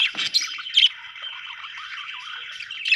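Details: Budgerigar warbling with a sustained, slightly wavering tone through the middle, framed by scratchy chirps and a louder squawk near the start.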